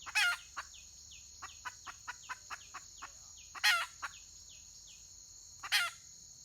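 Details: Red junglefowl hen, 31 May 2023, gives three loud, scratchy calls spaced several seconds apart, with rapid soft clucks in between, against an unbroken high insect hum.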